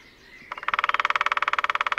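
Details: Displaying Lesser Spotted Woodpecker, one of a territorial pair, drums on a sunny early morning at Sandemar Reserve, Sweden, taken with a parabolic microphone; after half a second of faint birdsong a fast, steady burst of around twenty-five hard taps runs on without pause.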